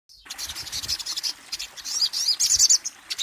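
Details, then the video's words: Hummingbird, locally called kolibri ninja, singing a rapid run of very high, thin chirps and twittering trills in short bursts, with brief pauses between phrases. "Suara burung kolibri ninja"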